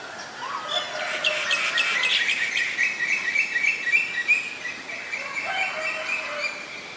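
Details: Oriental magpie-robin in Ubon Ratchathani, Thailand, 7 January 2021, a very common resident: quick, dense chirps and short twittering notes delivered rapidly over faint background noise.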